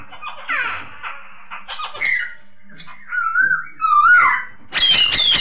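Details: Masked laughingthrush singing in a recording meant to train other birds. Harsh, scratchy notes lead into wavering whistled phrases that bend up and down, closing with a loud, high, buzzy burst.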